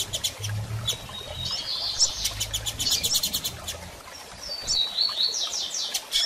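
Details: Double-collared seedeater female calling often, used to encourage a male to open his song after moult; high chirps and a flat whistle mixed with rapid ticking pulse series, a faint low hum behind.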